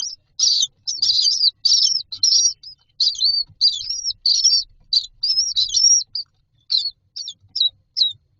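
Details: Common myna chicks in a nest box standing in a row waiting for food; rapid harsh, buzzy chirps in quick bursts, repeated almost continuously with short gaps, high-pitched and scratchy.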